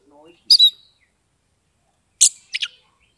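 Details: Oriental magpie-robin kept caged in Kebumen, Central Java, ngeplong-style song used to prompt reluctant birds to sing: a faint low murmur, then a bright two-note chirp, silence, and a harsh, buzzy double burst.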